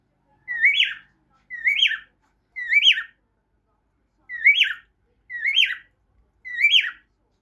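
A cockatiel whistles six clear, rising-then-falling notes in two sets of three.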